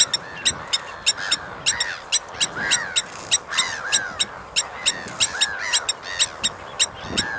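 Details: Blacksmith lapwing giving a steady run of sharp, metallic tink-like clicks, about two or three each second, alongside arched, nasal, harmonic calls.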